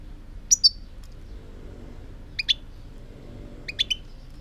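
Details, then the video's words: European goldfinch song, 2018: three short clusters of high, clear chirping notes spaced roughly a second and a half apart, each a quick two- or three-note phrase, over a faint low background hum. "chant chardonneret"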